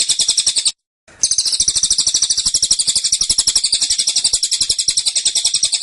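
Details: High, rattling trill of a caged Black-winged Flycatcher-shrike (cililin) in close-packed, insistent 'tembakan' style, notes pulsing quickly and evenly, interrupted by one brief break early on.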